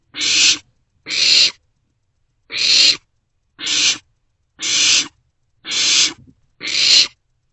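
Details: Barn owl chicks in an owl box in the early morning hours, passing a vole back and forth; seven rasping hissed screeches in quick succession, roughly one per second.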